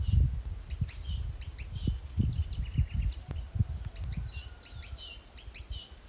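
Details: Blue-and-gold Tanager recorded in Costa Rica in 2021 with a Fujifilm camera; bursts of piercing, high downward-sweeping chirps at the start and again near the end, with heavy low thumping and rumble underneath.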